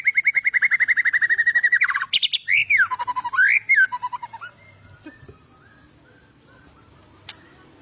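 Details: White-rumped shama in an agitated, fighter mood, singing to provoke other birds: a two-second rapid trill of identical high notes, then loud swooping whistles rising and falling, before fading into quiet background.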